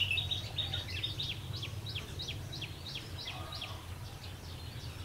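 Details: Red-whiskered bulbul used as a decoy while trapping on a rainy, windy day, 19 March 2016. It gives a quiet series of short downslurred whistled notes, about two or three each second, over steady low wind noise.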